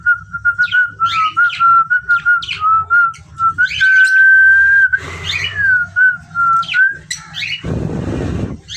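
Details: Pet parrots with a long, steady, wavering whistle running through most of the recording, broken by quick squawks and chirps above it, then a burst of broadband noise near the end.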